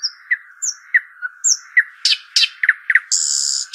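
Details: Arabian babbler: short high whistles and quick chirps, then loud scratchy notes and a sustained harsh buzz near the end. Throughout, a steady background hum.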